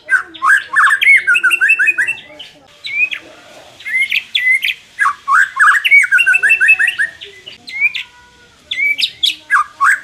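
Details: White-rumped shama singing, meant to make a less aggressive bird more competitive: energetic rapid series of looping whistled notes with sudden high upslurs, in several bursts separated by short gaps.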